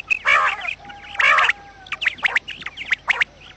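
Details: Quails used as a trapping lure give two long, grating, harmonic squawks, then a run of short, sharp, down-slurred chips about every quarter second over soft background chatter.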